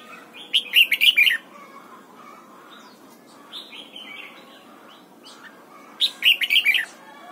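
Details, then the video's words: Red-whiskered bulbul singing in the morning while being trained for double-note wild-style song. Two lively bursts of five or six chirpy whistled notes come about five seconds apart, with softer twitters between. "Luyện giọng chào mào hót sáng, ép chào mào hót âm kép già rừng hay tuyệt!"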